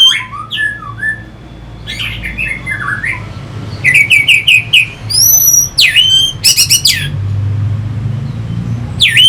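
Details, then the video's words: Singing orange-headed thrush from North Bali's Singaraja, used to stimulate fighting birds. Varied phrases mix falling whistles, short harsh notes and rapid repeated chips, with several bright rising slurred whistles toward the end. "Pasti NYaut dan Teler Pancingan SUara ANIS MERAH Pembangkit Figther Burung"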